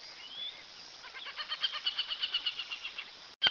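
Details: Aplomado falcon: a faint rising whistle, then a run of shrill, rapid notes that grows louder and repeats a little unevenly for about two seconds, ending with a sudden loud note after a short gap.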